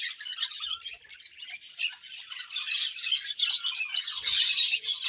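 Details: Flock of budgerigars at morning feeding, a constant high-pitched chattering of quick chirps and buzzy notes that grows louder toward the end.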